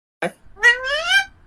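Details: A pet talking parrot (mithu) says "mummy papa": a short raspy burst, then a drawn-out, slightly rising, speech-like word with a clear nasal tone.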